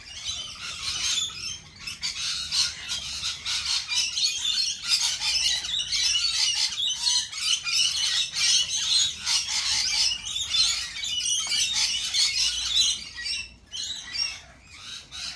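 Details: Lorikeet flock keeping up a long, busy chatter of clipped, rasping high squawks, nearly three per second, over continuous shrill background calling.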